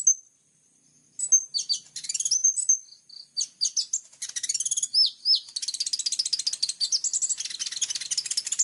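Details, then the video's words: Actively singing plain-throated sunbird (kolibri ninja) with clear, sharp 'tembakan' phrasing: one high whistle, silence, then energetic jumbled high notes building into a long, fast, buzzy chatter. "KOLIBRI NINJA GACOOR FULL TEMBAKAN TAJAM||suara jernih"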